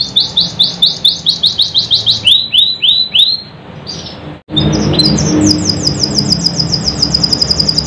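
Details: Canary singing to stimulate quiet, reluctant canaries to sing: long rolling trains of fast repeated rising whistled notes, a brief pause near four seconds, then a rapid trill resumes, with low background rumble.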